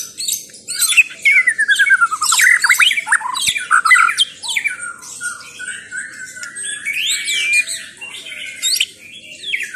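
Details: White-rumped shama song, a rich run of whistled phrases and sweeping slurs mixed with buzzy and squeaky notes, varied and continuous with no fixed rhythm, delivered loud and close.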